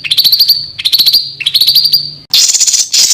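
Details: Small bird singing rough, rapid 'tembakan' bursts, used as master training audio for contest songbirds: three trains of fast high ticking notes with a steady whistled tone underneath, then a dense harsh buzzy burst at the end.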